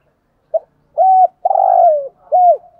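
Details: Calling decoy spotted dove delivers a single phrase of brief pip, flat coo, long slightly falling buzzy coo and a closing arched coo, in a quiet setting.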